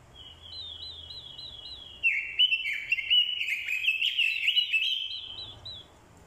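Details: Decoy orange-headed thrush fighting song, with a female thrush's call included to stir males; a run of soft, evenly repeated high looping notes leads into a loud, rambling, slurred whistled phrase lasting about three seconds.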